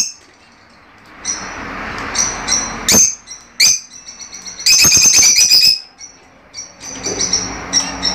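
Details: Fischer's lovebirds singing, a sound played to encourage pairing and mating: sharp high chirps and brief shrill notes scattered over eight seconds, with a dense burst of harsh, overlapping squeaky chatter in the middle and a rustling background.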